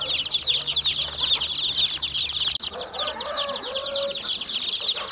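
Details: A group of young chicks keeps up rapid, shrill peeping, thin high notes tumbling over one another, while a softer lower murmur and rustle briefly join midway through.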